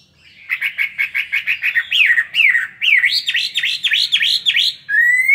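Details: Caged Chinese hwamei, two years in the cage, giving a fighting song with fanned tail: a fast series of clear whistled notes, then rising and falling slurred phrases, ending on a long upward whistle.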